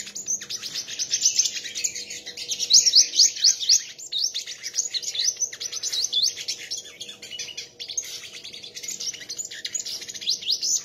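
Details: Sunbird in a song contest, sustained very high twittering with quick upward-sweeping notes in dense, continuous runs.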